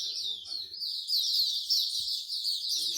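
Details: Songbirds at a bird singing corner in Singapore keep up a bright, unbroken mass of high twittering and trilled notes, quick and irregular, with soft low voices faintly in the background.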